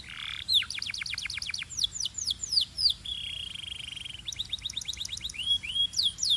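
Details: Singing Belgian canary mixing rapid falling whistles, a sustained buzzy rolled tone, and renewed bursts of swept notes and trills.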